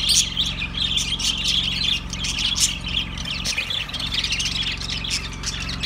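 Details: Budgerigars produce a bright, busy warble of squeaky chirps and short squawks, easing slightly toward the end, over a continuous low drone.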